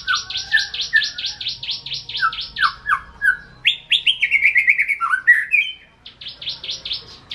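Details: Kept white-rumped shama from Indonesia delivering rapid repeated buzzy notes, about four per second, followed by rich whistled and warbled phrases, then returning to the fast repeated notes.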